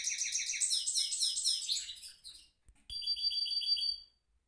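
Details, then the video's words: Caged goldfinch mule singing a rolling song: fast, rapid trilled phrases high in pitch, then a pause and a steadier ringing buzzy trill; no other sounds. "mule goldfinch rolling on cage"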